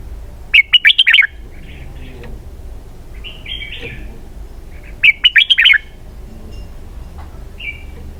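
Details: Two fast bursts of bright, tumbling whistles from a red-whiskered bulbul singing in the 'double-twist' style, with quieter warbled notes in the pause between them.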